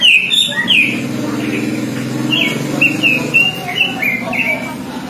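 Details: Oriental magpie-robin copying songbird phrases: sharp whistled slurs at the start, then a rapid sequence of short, bright, clipped whistles repeated several times, with a droning low rumble underneath.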